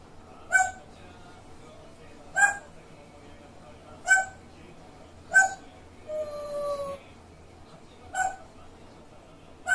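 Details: Grey parrot making its quirky calls: six sharp, harsh squawks spaced about every two seconds, broken by one clear, steady, slightly falling whistle lasting nearly a second, over a quiet low hum.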